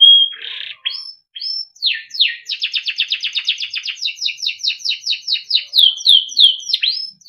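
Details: A timbrado canary sings for training: a short whistle and buzz, a few rising notes, then a long steady series of quick repeated two-part notes, evenly spaced.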